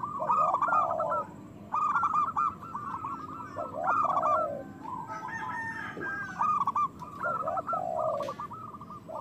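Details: Loud local zebra dove song used to excite lazy doves into singing and breeding: repeated rattling bursts of fast staccato coos, each joined by a lower bent note, recurring roughly every two seconds over a steady background hiss.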